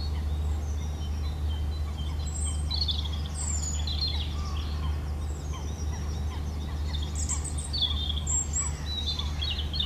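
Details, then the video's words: Singing European robin delivering a string of varied high phrases, thin whistles, sharp twitters and fast descending trills with short pauses between them, against a constant low droning hum. "Rotkehlchen singt - Gesang Robin singing"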